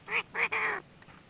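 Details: Female Chinese francolin calling, a recording used as a lure for trapping: three harsh, nasal, broadband notes in quick succession, the last drawn out longest, then quiet.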